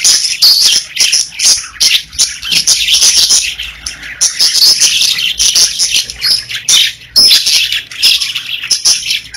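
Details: A group of pet budgies sings in a bright, busy twitter of quick high chirps, rising and falling in bursts throughout.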